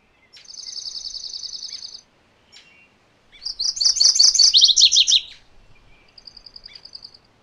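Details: A steady high trill opens, then the MacGillivray's warbler delivers its two-part song of quick repeated notes, the second half lower and louder. Another short even trill comes at the end.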